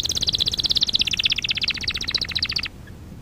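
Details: Young-canary training lesson featuring canary song: one rapid, even trill of bright high notes lasting under three seconds, gently dropping in pitch before stopping abruptly.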